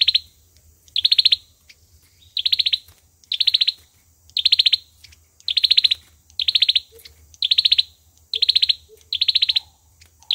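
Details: Olive-backed sunbird fighting song, used as a trapping lure: short rapid pulsed trills, each under half a second, repeated about once a second in a steady series, with a faint high hiss and low hum behind.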